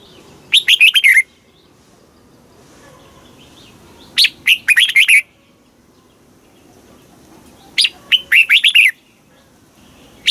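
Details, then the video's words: Southern-style master song of a caged red-whiskered bulbul in Thailand, played to stimulate birds and teach chicks: three loud, chattering phrases of fast rising-and-falling whistles separated by pauses of about three seconds. "เสียงนกกรงหัวจุก ร้อง ริก เปิดให้นกฟัง ยั่วให้นกคึกจัด"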